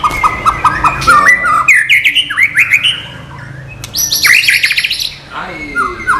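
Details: White-rumped shama singing its non-bubbling song style, used as song-training material: a varied series of loud whistled notes, rising slurs and quick repeated chips, with a brief quieter gap and a fast chattering run near the end.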